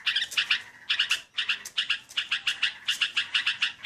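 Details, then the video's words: Yellow-vented bulbul used for luring, singing rapid chains of bubbly, bright chirped notes in tight groups of two or three, nearly continuous, with overlapping chatter behind. "PIKAT BURUNG TRUCUKAN!!! SUARA MERDU!!!"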